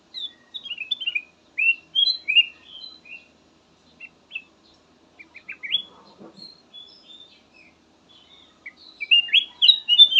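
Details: Kutilang emas song, described as soothing and suited as a lure for other birds: phrases of bright, rising whistled notes in quick runs, with pauses between bursts and a busy cluster near the end.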